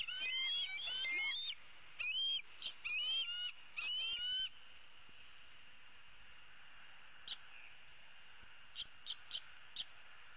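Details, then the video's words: Bald eagle eaglet from 2016, a female roosting in the nest tree, calling her parents for food: a quick run of high, rising whistled squeals in the first four seconds, then near quiet with a few faint clicks and peeps. "E7 dangles her right leg and calls for her parents to bring her some food."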